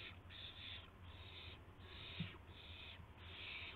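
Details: Dawn on March 26 2016 at an owl nest where a gopher and a mouse arrive. Long raspy hisses run almost back to back, with one sharp knock midway and a low hum throughout.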